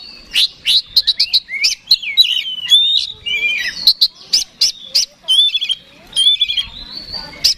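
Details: Oriental magpie-robin, song meant to goad a rival into fighting; bursts of sharp clicking chips alternate with fluid whistled slurs and twisting phrases, punctuated by brief pauses.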